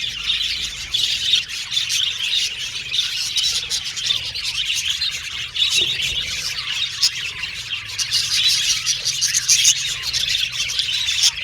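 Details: Several pet budgerigars chirping and communicating with each other in a steady, busy chorus of high twitters and scratchy chatter, with occasional sharper notes standing out.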